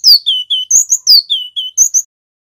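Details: Male cinereous tit, local Javan bird, singing master song used to lure and prompt other birds to sing: clear whistled phrases, each a high note sliding down into a steady lower whistle, repeated in quick succession with thin high chips, quiet background.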